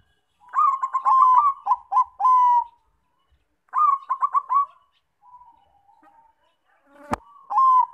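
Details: Bangkok-type zebra dove song as a lure for other doves. Two phrases of quick repeated coos ending in a held note, a soft low murmur, a sharp click, then a final coo.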